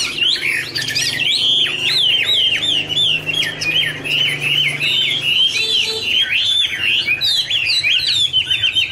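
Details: Chinese hwamei duet during a wing-fluttering dance: sustained, loud warble of wavy whistled notes repeated in rolling sequences, lively and unbroken, with a faint low hum beneath.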